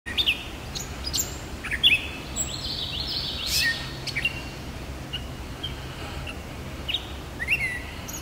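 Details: Gray Catbird (Dumetella carolinensis) song: a jumbled run of squeaky, scratchy chirps and whistles at uneven intervals, over a steady low hum.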